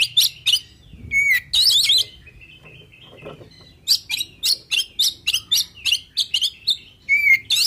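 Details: Oriental magpie-robin song used to draw rivals into answering, mixing loud warbled phrases, a low slurred whistle, and a rapid run of sharp chirps near the end, with faint background hum.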